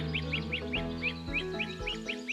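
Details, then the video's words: Great crested flycatcher in a Silver Spring, Maryland backyard on a May morning: a repeated short rising 'deet' note, about ten in two seconds, over background music. "I hope you can hear that. That deet, deet, deet, deet, deet. That's a great crested flycatcher."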